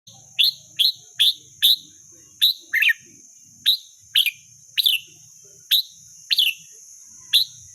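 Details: Wild red-whiskered bulbul: a run of sharp, high, clipped chirps, each a quick downward-bent note, repeated irregularly about every half second, with a constant high electrical whine and faint low rumble beneath.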